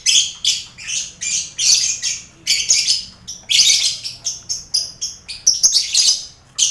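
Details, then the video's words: Colony of lovebirds housed with finches and quail, recorded to build the nerve of lovebirds entered in contests; rapid, evenly pulsing shrill chirps, several per second, overlapping in a busy chorus. "Sound Koloni Lovebird"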